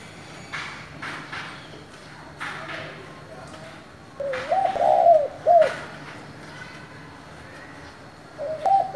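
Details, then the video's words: Spotted dove calling in the 'giọng thổ' style to goad newly caught doves: after scattered knocks and faint background noise comes one clear three-part coo, soft, wavering and ending in a short note, then the start of another. "Cu gáy giọng thổ gọi, thúc kích bổi nhanh nổi"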